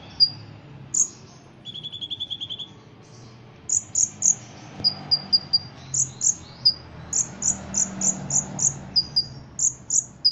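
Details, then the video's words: Caged Ruby-cheeked sunbird from Indonesia, trained for competitions, whose song is filled with cotton-cricket imitations: an early rapid buzzy trill, then a long run of shrill high chirps, quickening and repeated steadily. "Kolibri Ninja Gacor Isian Jangkrik Kapas Tembak Cililin"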